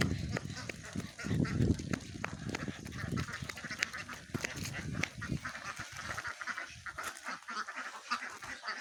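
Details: Many ducks calling together: a dense, continuous chorus of harsh overlapping quacks. Low rumbling thumps stand out in the first two seconds, then the quacking goes on steadily to the end.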